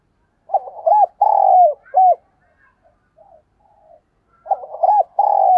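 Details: Spotted dove used as a decoy, cooing to draw in wild doves: one full low phrase of short hooked notes, a long drawn falling coo and a clipped closing note, then quiet murmurs before a second phrase begins.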